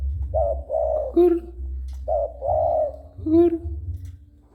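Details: Spotted dove cooing when someone comes near: two phrases of arched mid-pitched coos, mixed with a person's sharp whistled kissing sounds and low hum.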